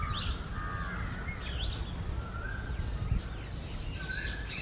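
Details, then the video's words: Oriental magpie-robin singing in the early morning of the summer breeding season, male and female present: clear whistled phrases, some slurred up and down, others flat and sweet, spaced over a steady low background rumble. "MAGPIE ROBIN Singing Sound"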